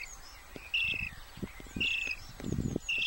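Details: Starling chicks hidden in a tree hollow near the remains of Muchelney Abbey give harsh, rasping begging calls, about one per second, over low knocks and rustling, squeaking for a parent to feed them; Common starling.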